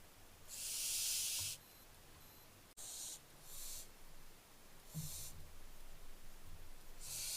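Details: Barn owlets on 15 July 2024 give harsh, breathy hisses, one long drawn-out rasp then shorter bursts about every second or two, over a low background rumble.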